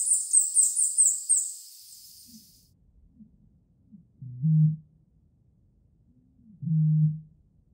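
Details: Eurasian bittern: deep, hollow low booms, two loud ones about two seconds apart after softer short grunts, preceded by a brief high twittering songbird phrase at the start.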